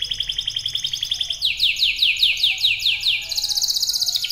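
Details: Canary song with a quick rolling trill, then a run of clear downslurred whistles about five per second, ending in a very high fast buzzy trill; faint low hum in the background.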